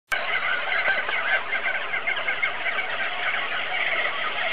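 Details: Auklets at a breeding colony on Buldir Island: a dense, continuous wall of overlapping chattering and squealing calls from many birds, steady and loud throughout.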